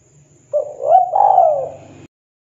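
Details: Spotted dove, a local wild-type bird perched and singing in the KUK 2 style. A soft short note is followed by a mellow, rising, then level throaty coo phrase of about one and a half seconds, with a faint low hum underneath.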